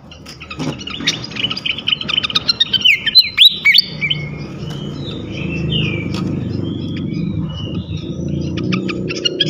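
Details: Flycatcher song used to provoke other flycatchers. A lively, dense stretch of sharp chirps and trills comes first. It is followed by soft, separated whistled notes over a steady low rumble.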